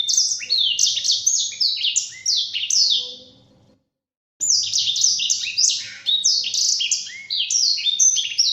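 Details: Training song of a Black-throated canary for caged birds: dense bursts of high, rapid twittering and slurred whistles, broken by a silence of about a second before the rich warbling resumes just as vigorously.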